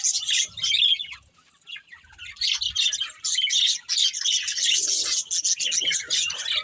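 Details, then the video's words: Budgerigars kept as pets chirp and warble in high, raspy chatter, a brief lull near the start, then a continuous run of overlapping twitters and squeaky notes. "Cute Budgies Chirping Sounds"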